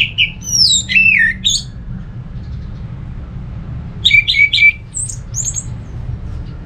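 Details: Orange-headed thrush song played to coax other thrushes into singing: two bursts of rich, sweeping whistles and slurred notes, one at the start and another after a pause of about two seconds, over a low background hum.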